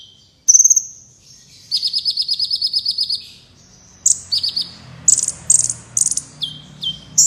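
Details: Black Sunbird (kolibri wulung) singing, used to train contest birds: a sharp high note, then a steady buzzy trill of about fifteen notes, followed by a quick run of shrill chips and falling whistles over faint hum.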